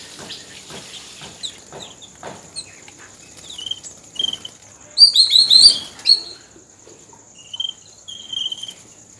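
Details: Yellow-billed babbler bathing in Sri Lanka; soft scattered chirps, then a loud burst of squeaky, high chattering notes around the middle, followed by a few thinner whistled chirps near the end.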